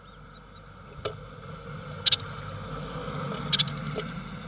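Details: A pair of Eurasian blue tits nest-building and interacting with each other; thin, very high chirps in quick falling runs of four to six notes, heard three times, with short sharp ticks between.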